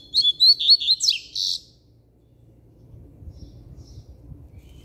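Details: Double-collared seedeater kept as a cage bird, singing firmly: one fast phrase of five clear whistled notes run into a buzzy ending, followed by a few seconds of quiet.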